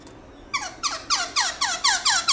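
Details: Black-throated laughingthrush in loud, clear wild-style song: a quick series of about seven squeaky downslurred notes, evenly spaced, growing louder.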